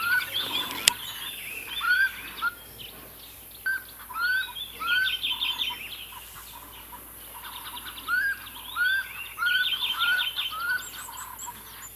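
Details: Common scimitarbills nesting in a braai boma at Hlane Royal Game Reserve, as the first chick fledges from the nest; repeated rising whistled notes with chattering bursts, about ninety a minute, amid several overlapping birds.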